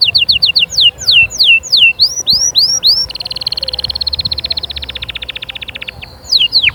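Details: Canary song played to encourage chicks to sing and prepare females for breeding: fast descending whistled sweeps, then a rapid buzzy trill of repeated notes, ending with more falling whistles.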